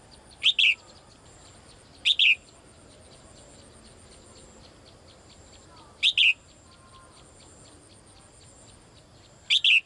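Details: Daily calling of a female bird summoning the male: four quick, high double chirps at uneven gaps of two to four seconds, with low steady background hiss.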